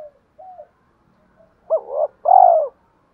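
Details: Spotted dove coo in the 'giọng thổ' voice, played as a lure to set doves cooing: faint introductory notes, then a hooked coo followed by a long, loud, rounded coo.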